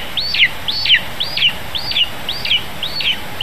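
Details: Lesser spotted eagle nestling on a nest cam in Zemgale, Latvia, mid-morning on 15 July 2019 while a vole is delivered: clear, arching, high whistled calls sliding downward, six in a regular row roughly every half second.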